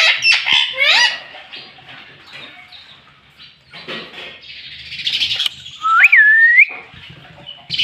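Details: Pet green ringneck parrot that is taught to say "mummy": a few harsh harmonic squawks at the start, then quieter chatter and one rising, looping whistle in the middle.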